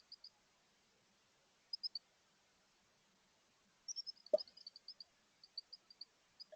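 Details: Female chickadee inspecting a newly built nest box, with her mate outside; soft high chirps come in short clusters of two or three, then a denser run of repeated chirps after a brief knock, with near silence between.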